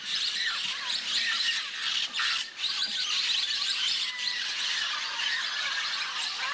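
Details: Flock of Orange-cheeked parrots gathering over a clay lick at dawn in Manu, Peru, producing a steady wall of harsh, overlapping screeches and chatter, swelling briefly around the middle.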